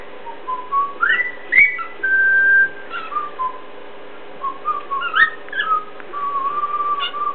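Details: A pet cockatiel imitates another bird it treats as its role model, with clear, mid-pitched mimicry whistles: quick rising slurs, warbled phrases and one long, steady note, over a faint indoor hum.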